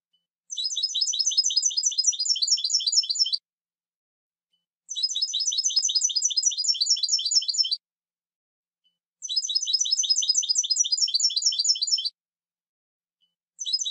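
European goldfinch song: high, tinkling bursts of rapid twittered notes, each about three seconds long, repeated after short pauses against a quiet background.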